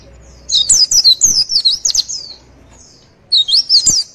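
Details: Javan white-eye song meant to prompt other birds to reply and copy: a rapid, high, zigzagging twitter lasting about two seconds, then a pause and a shorter second burst.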